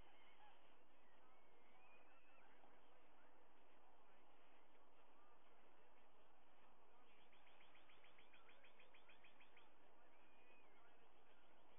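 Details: White-bellied sea eagles at their nest on 21 August 2022, a day of feasting: the male delivers a live fish and the female feeds two eaglets. A rapid burst of harsh, honking notes runs for about two seconds over steady hiss, with faint whistles nearby.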